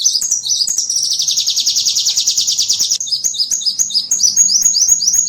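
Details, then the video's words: Small-bird lure sound used to attract small birds: quick high chirps lead into a loud, buzzy, rapid trill, followed by a string of repeated slurred twittering notes. "SUARA PIKAT BURUNG KECIL"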